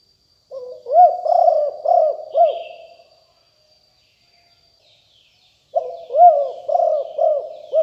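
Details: Fierce Liu Tan strain spotted dove, 2021 lure recording for wild doves. A phrase of four throaty coos fades out, then a long silence, then a fresh coo series begins.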